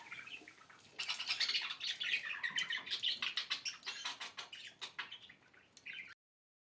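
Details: Budgerigar chirping: a rapid string of clicky ticks and short warbled notes for about five seconds, trailing off, then silence.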